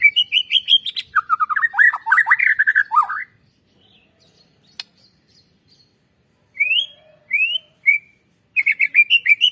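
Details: White-rumped shama lure song meant to make birds sing: a three-second flurry of fast whistled and slurred notes, a long quiet gap with one click, then separate upslurred whistles and a quick repeated phrase.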